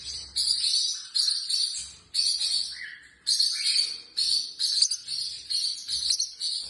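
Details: Home-kept female Pacific parrotlet producing bursts of high, shrill, rapid twittering chatter, broken by brief silences roughly every one to two seconds, one lower squeaky note near the middle.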